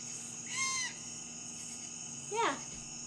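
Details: A young Great Horned Owl gives two loud, harsh screeching calls about two seconds apart, the second sliding downward, over a steady high hiss; heard at night in Washington, audible indoors with windows shut.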